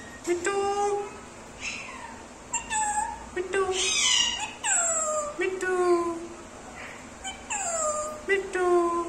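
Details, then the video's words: Indian ringneck parrot kept as a pet, chattering words and copying a cat's meow: a long run of short harmonic syllables and sliding, meow-like downward notes, some harsh bursts, repeated every second or so indoors. "smart parrot talking sweet voice mithu"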